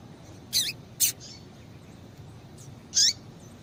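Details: Female double-collared seedeater calling to excite a male: three short, high, sharp call notes at about 0.6, 1.0 and 3.0 seconds, each with a brief downward-slurred tail, against faint steady background hiss.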